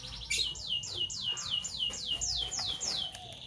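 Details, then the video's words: Two Fischer's lovebirds, parblue violet and parblue turquoise, in the morning: a rapid run of high, sharply descending chirps, about three per second, each sliding down from a thin peak, with faint lower chatter beneath. "Lovebird Chirping Sounds - Parblue Violet Fischer & Parblue Torquoise Fischer"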